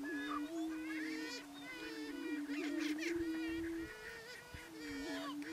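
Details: On an April lek in Nebraska's Sandhills, greater prairie chicken males spar and boom while waiting for females: a continuous low moaning hoot with rising swells, interrupted by rapid cackling and whooping notes from multiple birds.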